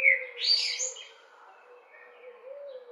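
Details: Common blackbird calling persistently without an answer: one quick fluted note sliding into a high, thin twittering burst, followed by near quiet with only a low steady tone in the background.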